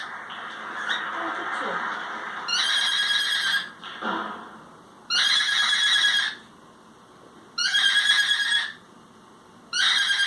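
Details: Indoors, a pet cockatiel makes a funny noise: four loud, harsh, buzzy screeches of about a second each, spaced roughly two seconds apart, with softer chattering and sliding notes in the gaps.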